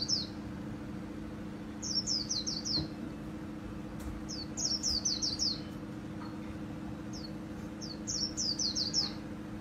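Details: Kept white-eye performing the 'líu' song style favoured by Vietnamese bird keepers, 2019: three separate runs of four to six very high, quickly falling whistled notes, spaced a few seconds apart, with scattered single notes and steady low hum beneath.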